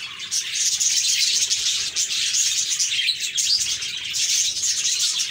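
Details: Happy budgies in a flock, a continuous dense high chatter of overlapping chirps and warbles with short bright whistled notes throughout and no pauses.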